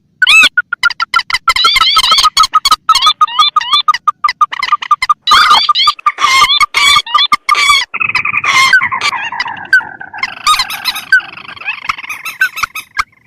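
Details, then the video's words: Bird lure for a rail, mandar against tikusan: a rapid chattering series of upslurred squeals for several seconds, then a rougher buzzy, churring stretch to the end. "Suara pikat burung mandar atau pelan vs tikusan"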